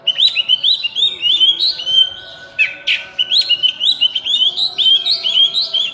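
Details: Oriental magpie-robin, burung cincim pala in local speech, pouring out a continuous stream of rising whistled notes, broken once by a brief harsh burst.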